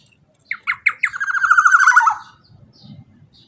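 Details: Black-naped oriole teler song: a few separate harsh notes speeding into a loud buzzy rattle that drops in pitch, then fades to soft low murmurs.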